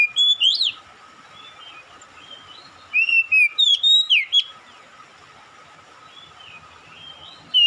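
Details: Oriental magpie-robin singing in response to another magpie-robin. It gives loud, sharp whistled phrases with upward and downward sweeps: a burst at the start, a longer run between 3 and 4.5 seconds, then softer scattered notes, over steady faint hiss.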